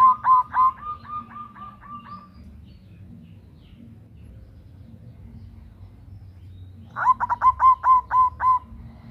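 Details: Local zebra dove, a female calling a male and used as a lure, loud and persistent: a rapid burst of about eight short, low cooing notes, a long pause, then a second similar burst, with low rumbling background hum.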